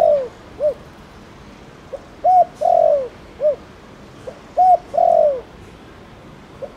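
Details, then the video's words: Spotted dove, known locally as cu đất, of the Thổ Đồng calling type used to stimulate other doves; two full phrases of soft low coos, a clipped note then a long falling drawn-out coo and a short ending coo. "Tiếng cu gáy Thổ Đồng gọi bổi nhanh gáy"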